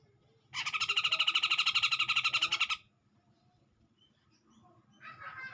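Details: Harsh rattling chatter of a grey-cheeked bulbul answering a rival, a dense buzzy burst lasting about two seconds, then quiet before a fainter rasp begins.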